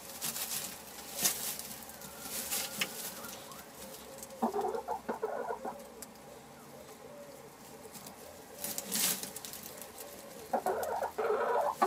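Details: Hens in a henhouse on an ordinary day, giving short broken clucks in irregular bursts, with scratching and patter between the calls.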